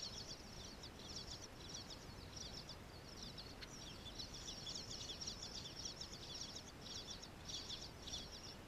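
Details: Bluebirds feeding nestlings: almost unbroken high-pitched chirping and twittering in uneven rapid bursts throughout, growing busier in the second half, over a constant low hiss of background noise.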